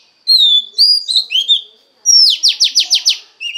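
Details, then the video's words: Oriental magpie-robin female voice to stimulate the male: several clear falling whistles and chirps, then a quick run of six repeated down-slurred notes and a closing chirp. "Choè than mái kích trống hay nhất"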